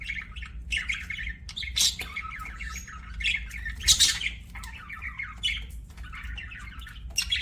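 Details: A pet budgie's chattering warble of short, rhythmic chirps and buzzy notes, punctuated by a few sharper squawks, fairly steady throughout.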